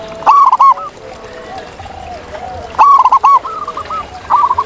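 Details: Zebra doves in the wild: two loud phrases of fast, clipped cooing notes, each starting with a sharp accent and trailing into a rippling series, with softer coos from other birds between.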